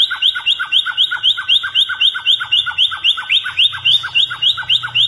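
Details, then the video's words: Blorok white-rumped shama in full gacor song, delivering a fast, very regular series of sharp chipping notes, around four per second, sustained throughout with steady rhythm. "murai batu blorok gacor"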